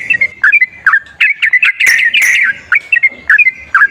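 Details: A sooty-headed bulbul, used as a lure for a reluctant singer, gives quick whistled phrases of two or three notes with a downward flick. The phrases come in clusters with short gaps, plus one harsh raspy burst near the middle.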